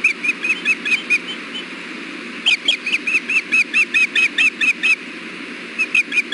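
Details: Osprey pair at the Hellgate nest, filmed by nest camera on 6.4.16 around 4:00 pm during a fish delivery, the male sharing bites with the female. Rapid runs of sharp, whistled chirps, repeated about twice a second, with a brief pause midway.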